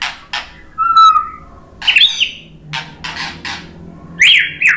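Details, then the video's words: White-rumped shama (murai batu) song used as a lure to make other birds answer and sing: varied mix of sharp broadband bursts, a steady mid-pitched whistle, and rising-falling high phrases, delivered loud and choppy with brief pauses. "OCEHAN MURAI BATU memancing BUNYI jadi NYAUT GACOR NGEPLONG"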